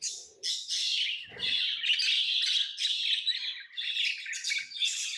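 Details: Tamed pet lovebirds chirping in a dense, unbroken stream of shrill, high squeaky chirps and chatter, with one brief low thump near the middle.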